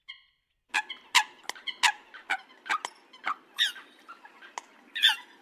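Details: Harsh, abrupt coot notes, used as a hunting call: a dozen clipped nasal honks and clicks in quick irregular succession, about two or three per second.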